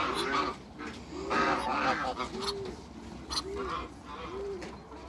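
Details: A pair of African geese in a backyard among other waterbirds, giving short, arched, nasal honks in quick succession, some overlapping, with sharp knocks and clatter in the background.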